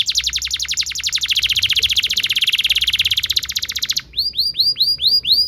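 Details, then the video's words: Long tutor song of a lively canary for young birds: a rapid, rolling trill of high chirps lasting four seconds, breaking into slower, loud, down-slurred whistled notes. "PANCINGAN KENARI GACOR DURASI PANJANG UNTUK MASTERAN KENARI PAUD BELAJAR BUNYI DAN GACOR"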